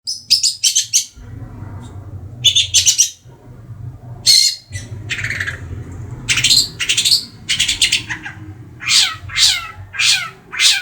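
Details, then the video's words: Pet long-tailed shrike of the Madura type, three months old, singing freely: bursts of harsh, scratchy rasping notes alternating with short bright chirps and quick downslurred whistles, over a steady low hum. "Burung Cendet gacor"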